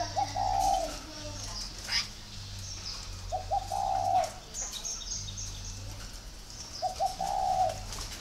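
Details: Spotted dove from a dove-raising garden in Ba Vì, northern Vietnam, repeating its coo three times about three seconds apart, each opening with short notes and ending in a long soft coo; faint chirps behind.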